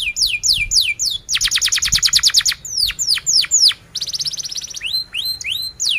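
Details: Canary singing sweeping falling whistles, a rapid rolling trill, more drooping notes, another quick trill and closing rising chirps, loud and varied.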